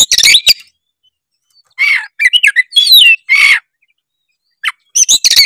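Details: Oriental magpie-robin singing in gacor style, used to draw other magpie-robins into song: loud clusters of scratchy chatter and sweeping whistled notes in several bursts with short silences.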